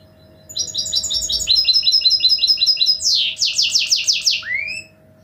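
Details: Song of a goldfinch mule, a hybrid kept as a cage bird: rapid high repeated chirps in a steady trill, shifting to loud downward-slurred sweeps and ending on a rising whistled note over a low constant hum.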